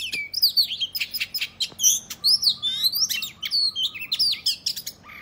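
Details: Fighting song of an Oriental magpie-robin, used to provoke rival males into displaying and spreading their tails. A busy stream of clear whistles, upward slurs and scratchy chips follows a lower drawn-out opening note.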